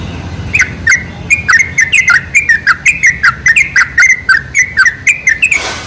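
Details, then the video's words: Lure sound of sooty-headed bulbul meant to draw bulbuls in: after a brief quiet start, a lively stream of sharp, down-slurred chirps repeats quickly, ending in a short burst of noise. "PANCINGAN SUARA TRUCUK TERBAIK"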